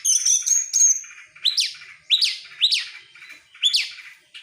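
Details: Oriental magpie-robin singing while excited and opening its tail: a sustained high whistle, then a run of sharp upswept notes repeated about every half second to one second.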